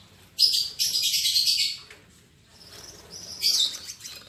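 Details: Caged albino MM male and lutino MM female lovebirds, just paired: a loud buzzy chattering stretch of over a second, a pause, then softer twitters and another harsh burst.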